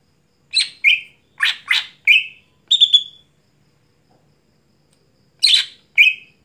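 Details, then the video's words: Greater green leafbird in lively night song: a scratchy note and whistle, paired raspy calls, a thin high whistle, then a long silence before another rasp and whistle. "Mitos Cucak Hijau Gacor Malam Hari Tidak Bisa Buat Lomba"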